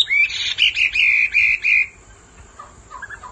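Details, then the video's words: Hwamei, male roused by a female's calls: a short run of five loud, clear whistled notes repeated rapidly, then quiet with a few soft distant notes. "Họa mi mái xùy liên hồi kích chim trống căng lửa hót ngay"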